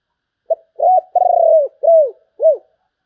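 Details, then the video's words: Spotted dove, sấm bầu song style: one short note, then a string of four low coos, the middle one long and buzzing, the others arched and falling. "Tiếng chim cu gáy chuẩn sấm bầu"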